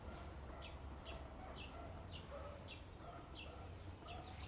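Cardinal Woodpecker giving a run of short, sharp, high notes, roughly two per second, over a steady low rumble.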